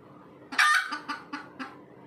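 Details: Wild red junglefowl hen calling after laying an egg: one loud harsh squawk followed by three shorter clucking notes spaced about a quarter second apart.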